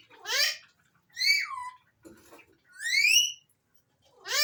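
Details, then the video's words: Whistles from an Alexandrine parakeet: four bright, harmonic notes about a second apart. Some fall sharply and others climb, and a faint murmur sits between them. "Alexander Raw Parrots Talking and different Whistles"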